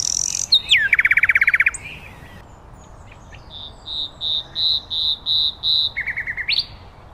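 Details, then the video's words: Common nightingale song in a natural setting: a falling whistle into a fast buzzy trill, a pause, then a series of about eight rich repeated notes and a short trill rising at the end. "Beautiful Nightingale Birdsong"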